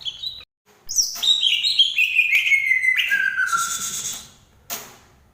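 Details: Green leafbird from Banyuwangi singing a loud run of clear whistled notes that step downward from high to lower pitch, closing with a long falling whistle and a brief burst at the end.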